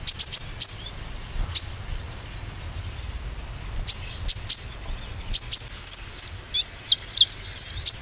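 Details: Oriental white-eye lure meant to stimulate singing: scattered groups of sharp, very high chip notes, some doubled or tripled, with quiet spaces and a soft low hum below.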